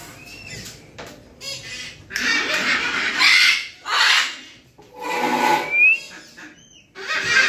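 Yellow-crested cockatoo giving loud, harsh, raspy screeches, each about a second long, in a ragged series, with a few brief whistled notes between them.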